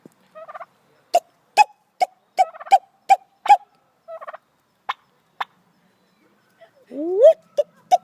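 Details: White turkey hen making attention-seeking hiccup-like noises: short sharp clucks and clicks repeated irregularly, some with a nasal yelp quality, and a longer rising-then-falling squeal near the end, in an otherwise quiet setting.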